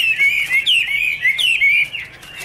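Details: Short burst of Chinese hwamei song recorded in 2017: two or three loud, clear slurred whistled phrases in quick succession, then fading.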